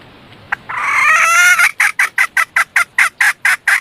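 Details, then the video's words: Decoy red junglefowl hen calling to draw in males, opening with one long strained harmonic note before breaking into a steady run of short, evenly spaced cackles, about ten in under three seconds. "Gà Rừng Mái Làm Mồi Chuộn"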